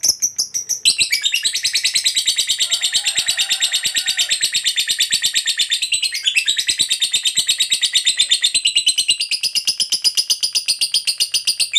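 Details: Lovebird fighter giving a long 'ngekek panjang' chatter, used as a lure to provoke other lovebirds: a dense, high, rapid trill of buzzy notes, about three per second, running unbroken for over ten seconds with slight pitch shifts.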